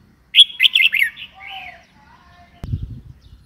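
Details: Red-whiskered bulbul giving one bright, chattering whistled phrase of quick up-and-down notes, then a softer lower slurred note; a sharp knock and low rumbling follow near the end.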